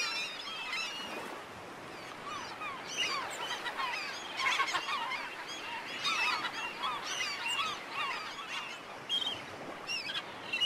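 A crowd of black-headed gulls gives harsh, nasal, rasping cries that overlap without pause, rising and falling in a noisy colony chorus.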